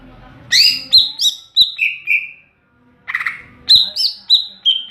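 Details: Ngeplong song of a greater green leafbird (cucak ijo): strings of high, ringing whistles sliding downward, a brief gap, then a rasp and more falling whistles.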